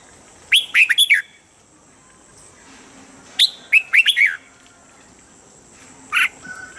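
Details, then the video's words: Standard-voice song of a Red-whiskered bulbul for daily morning training that helps birds get fired up: two lively phrases of four or five quick, warbling whistles a few seconds apart, ending with one lone note. "Luyện giọng chào mào âm chuẩn mỗi sáng giúp chim nhanh căng lửa"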